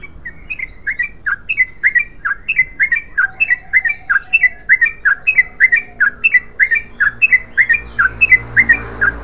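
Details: Yellow-vented bulbul giving an extended ropel song: a long series of bubbly, slurred notes, mostly falling, spaced roughly two per second, with a faint low hum underneath.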